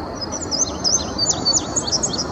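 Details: Male indigo bunting singing from a treetop at Sandy Bottom Nature Park, Virginia, early May 2019: bright, high, sweeping notes, mostly in pairs, run together in a rapid continuous phrase over a faint steady background hiss.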